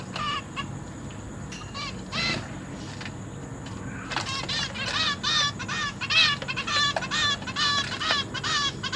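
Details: Zebra finch chicks fed by both parents in captivity: a few sparse nasal notes, then a sustained run of fast, repeated buzzy calls in tight bursts for the second half, over a low constant hum.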